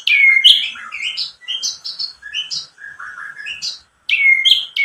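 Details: Lure song of a white-rumped shama, used to make other shamas respond and sing fully, with filler phrases. A loud ringing downslur opens a run of high, varied, chirpy notes, then the downslur returns after a short pause.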